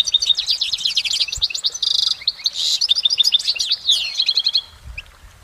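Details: Goldfinch in nature delivering a long, uninterrupted, layered song: fast liquid twitters and chirps, a short buzzy wheeze near the middle, then descending tinkling notes fading toward the end.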